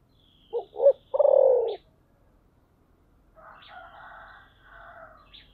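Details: Spotted dove singing in the thổ sấm style: two short hoots and a long, loud coo. A rooster crows in the background afterwards, with faint high chirps.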